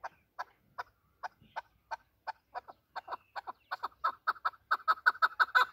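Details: Chukar partridge of native Afghan stock, used by hunters: spaced, throaty chuck notes that start slowly, then speed up and swell into a rapid, louder chattering run toward the end.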